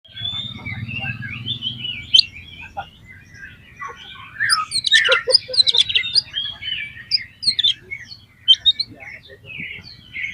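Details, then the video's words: Oriental magpie-robin song used as a lure to stir other magpie-robins into singing: varied chirps and short whistled phrases, busiest in the middle, over a steady low hum. "PANCINGAN KACER BOCOR ALUS ‼️ NGEPLONG BIKIN GAIRAH KACER LAIN CEPAT BONGKAR ISIAN"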